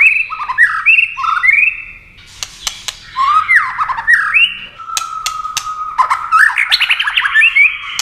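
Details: Competition song of a white-rumped shama, wings flashing and tail flicking throughout: varied fluty whistles leap up and down, then a long steady note and a quick rising run of chattering phrases, with scattered sharp clicks.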